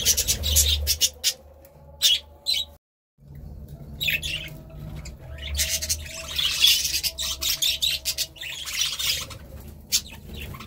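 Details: Budgerigar chatter of sharp squawks and high scratchy chirps, broken by a brief silence, then resuming in dense trilling bursts.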